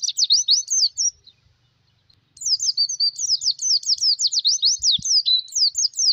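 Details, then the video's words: Oriental white-eye lure song: a high, twittering warble of rapid sweet chirps, a short burst, then a longer run after a brief pause, with a faint low rumble beneath. "Suara pikat pleci masteran"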